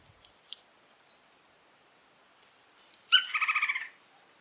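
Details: Red-crowned woodpecker from Orinoquía forest, Colombia, giving a territorial call: after scattered faint chips and ticks, one loud churring rattle of around eight quick pulses lasting nearly a second, followed by stillness.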